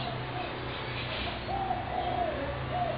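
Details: Fed spotted doves in a Brooklyn Park backyard, 6 November 2016: a run of low, mellow, slightly rising then falling coos in the second half, over a constant low mechanical hum.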